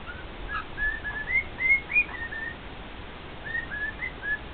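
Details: Singing male cockatiel, a pet, addressing two fellow cockatiels: rising, clear whistles climbing in pitch to a few loud notes, a short pause, then softer repeated whistles.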